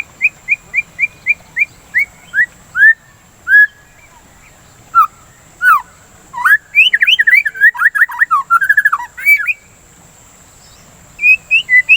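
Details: White-rumped shama singing, played to provoke other birds into song and to calm breeding excitement. Evenly spaced short whistles open the phrase, then scattered notes lead into a dense, varied run of sliding whistles and chatter, ending with a few more whistles.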